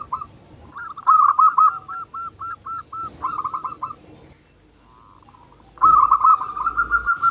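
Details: Local zebra dove whose song lures other zebra doves into singing: a string of evenly spaced separate coos, then rapid bubbling trills, a pause, and a long loud rolling trill ending in spaced notes.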